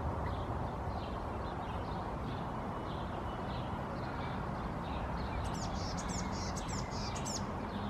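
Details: Preening blue tit on a branch in Helsinki, Finland, May: thin repeated notes at even spacing give way to scratchy, buzzy churring phrases near the end, heard against loud continuous city traffic noise.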